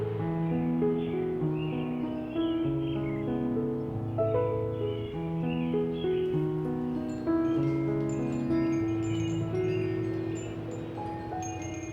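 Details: Gentle instrumental music with soft sustained tones and chime-like notes, with only a few faint high chirps in the background.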